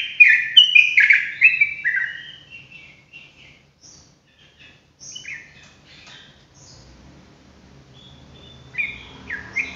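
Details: Sooty-headed bulbul singing ropelan: a dense burst of loud, rapid whistled notes opens, followed by scattered softer notes and near silence, then a brief return of whistles at the end amid faint noise.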